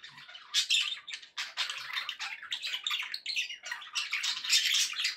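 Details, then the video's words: Budgerigars chattering steadily for pet birds' company; dense harsh warbling and squeaky chirps overlapping, loud and nearly continuous. "1 hour of budgie sounds for pet parakeets to make tham happy"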